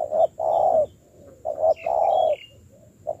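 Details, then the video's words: Decoy-training spotted dove, newly caught, cooing. Two phrases each open with a short clipped note and swell into a long, level, hollow coo. A faint high twitter is heard between them. "thúc gù"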